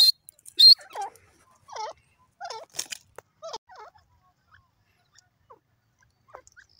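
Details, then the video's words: Grey francolin (dakhni teetar) in a forest: a sharp high squeal opens, then about six loud looping, wavering calls spaced under a second apart over four seconds, fading to a few faint short notes. "francolin bird playing in foest and dakni teetar bird awaz"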